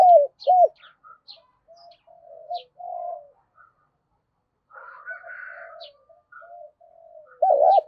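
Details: Spotted dove coo meant to provoke fighting: two loud arched coos open, followed by long quiet stretches of soft murmuring coos and a faint buzzy note, ending in a loud rough double coo.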